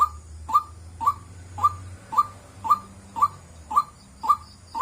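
A White-breasted Waterhen repeats a short, mid-pitched 'wak' note about twice a second, ten times in a steady run, over a faint low hum.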